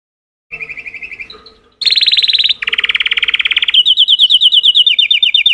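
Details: Canary trilling in short sections: a soft pulsed trill, then a loud buzzy roll, a lower rapid rattling tour, and a high fast trill of repeated notes.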